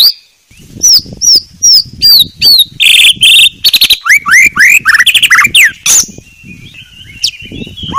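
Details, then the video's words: White-rumped shama giving a clear masteran (tutor song): a series of sharp, high falling whistled notes, then loud buzzy phrases and quick rising slurred whistles, fading into thin, faint notes at the end. "Masteran Murai Batu Paling Jernih"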